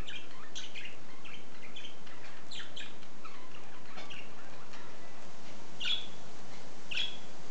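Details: A budgerigar left alone in its cage "talks" in a stream of soft, scratchy warbling chatter, punctuated by two sharp, bright chirps.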